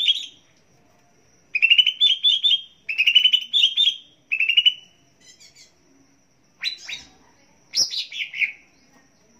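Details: Greater green leafbird song used as a lure and tutor recording to get kept birds singing, for morning, noon, evening and night. Rapid chirped trills alternate with falling warbled phrases in bursts separated by short silences.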